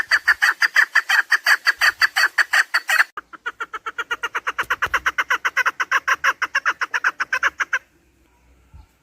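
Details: Chukar partridge, a recording for partridge hunting: a very fast stream of clucking notes, a louder burst, then a brief pause, then a softer continued run before silence.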